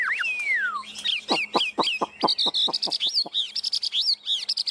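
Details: Caged Chinese hwamei singing confidently at close range; a long falling whistle, then a quick series of sharp clicking notes under high ringing whistled phrases, repeated in short bursts.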